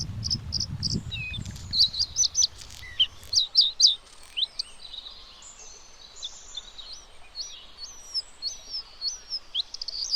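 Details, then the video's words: A Bluethroat's high, varied song of sharp chirps, trills and upslurred whistles, delivered in quick bursts; a low rumble of background noise in the first seconds. "Bluethroat Bird | Bluethroat Call | Bluethroat Sound | Bird singing"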